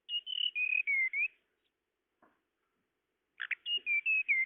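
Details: Tledekan call used to lure birds: a falling phrase of clear whistled notes, a pause, then a buzzy double chip and another descending whistled series.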